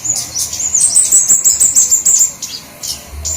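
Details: Flowerpecker lure sound: a rapid, very high, thin trill of sharp notes, about three per second, lasting around two seconds, then a pause and a few isolated high ticks.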